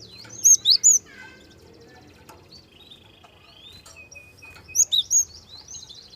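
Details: Java sparrow singing softly as a lure to make young birds sing. Three loud, high squeaky notes open, followed by sparse soft chirps and a thin whistle, then another trio of bright squeaks.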